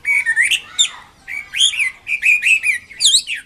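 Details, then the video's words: Chinese hwamei singing energetically, with clear whistled notes that slur upward, broken by quick buzzy flourishes in short phrases about half a second long. "BURUNG WAMBI KEMBANG MANDARIN GACOR KICAUNYA"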